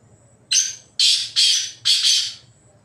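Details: Black francolin roaming free in the wild, giving four harsh, grating, high bursts in quick succession, the last two running close together, over a quiet background.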